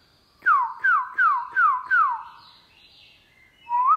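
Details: Newly caught black-throated laughingthrush in a cage, singing its forest-style song in the morning: five loud downward-slurred whistles repeated evenly, a brief quiet gap, then a short upward whistle.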